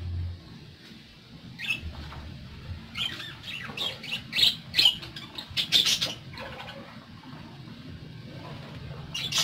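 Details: Pet parakeets burst into a cluster of sharp high squawks and twittering in the middle, quiet before and after, over faint room hum.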